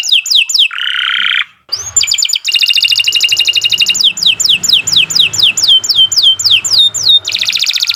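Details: Singing domestic canary, a vigorous long-song bird used as a tutor for young or silent canaries; rapid descending whistled notes repeated in fast series, a buzzy rolling trill, then dense high chattering phrases and more swooping whistles.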